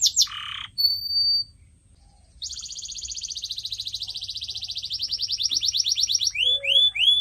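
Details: Canary song as training for pet birds: a low rasp, a thin whistle, then a long rapid trill that speeds into repeated falling sweeps.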